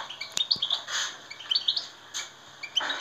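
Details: European goldfinch singing to prompt other goldfinches to sing, giving quick high twittering notes and short liquid chirps in bursts, with a few sharp clicks between phrases.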